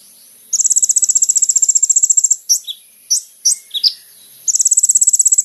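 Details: Kolibri ninja sunbird singing, a recording used to lure other sunbirds: a very high, fast ticking trill of about two seconds, then several short sharp chips and squeaks, then the rapid trill starts again.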